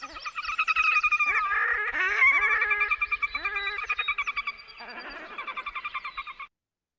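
Red-necked Grebe pair duetting: loud, nasal, braying wails that break into fast, laughing chatter. Notes come several times a second, with the two voices overlapping.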